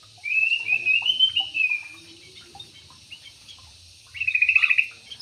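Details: Aviary Yellow-vented bulbul producing a long, smooth bubbling warble, a pause with faint chirps, then a short fast trilled burst of notes.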